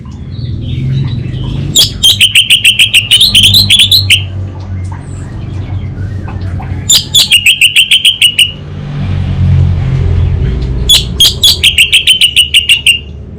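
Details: Three long bursts of orange-headed thrush 'kabel konslet' song, each a rapid train of ticking notes riding a wavering, buzzy whistle and lasting up to two seconds, with quiet hum between them.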